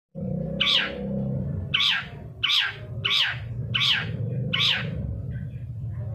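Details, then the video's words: Long-tailed shrike, played as a lure to get captive birds singing: six harsh, rasping notes that fall in pitch, spaced under a second apart, over a steady low hum. "suara panncingan cendet agar bunyi dan gacor"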